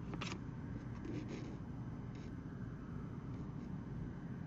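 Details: Steady low-pitched droning noise continues, broken only by several short ticking sounds near the start.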